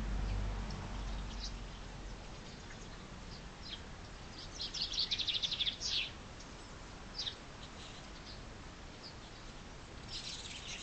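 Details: Chaffinch in spring, starting with low rumble and quiet, then a loud quick rattle of high repeated notes around the middle, followed by a few isolated high chirps.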